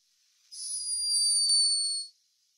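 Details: A sleeping hummingbird recorded by a scientist in Peru gives a thin, very high, steady squeaky snore that drifts slightly downward.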